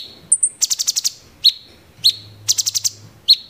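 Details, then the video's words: Cucak cungkok bulbul giving 'tembakan gereja tarung' song: a high thin whistle, a quick volley of six shrill ticking notes, then single sharp whistled notes with a faint low hum beneath. "cucak CUNGKOK tembakan GEREJA TARUNG!!!"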